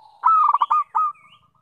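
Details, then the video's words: Zebra dove song: a clear, steady, mid-pitched coo runs into a quick stutter of pulsed notes, then a second held coo that fades off, all over a silent background. "Perkutut Suara Merdu"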